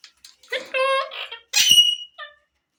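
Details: Talking Indian green ring-necked parakeet producing speech-like, word-like phrases in a high, nasal, strongly harmonic voice: two connected syllables, a brief gap, then a shriller, brighter word ending in a faint trailing syllable; indoors, no other sounds.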